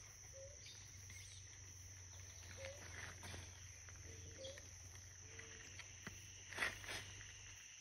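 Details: Blue ground dove at La Bramadora wetland, Sopetrán, Antioquia, Colombia, 17 September 2023: several short, low, soft hooted notes, some slightly rising, scattered over a few seconds beneath a steady high insect drone and faint higher chirps from other birds.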